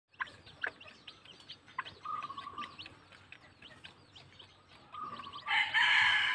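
Day-old bantam chicks peep constantly, a dense chorus of high, short, overlapping cheeps with a few longer steady notes. A burst of rustling noise comes near the end.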